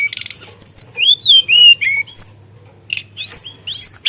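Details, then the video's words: Caged songbird singing a fast medley of clear whistled slides, high buzzy bursts and short chips, about two notes per second, with a faint low hum beneath. "Burung Teledekan Gacor Dorr Ngeroll Isian"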